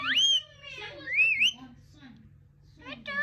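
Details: A pet parrot sings in bursts of bright, voice-like whistles that swoop up and down, with short gaps between phrases and a low hum behind.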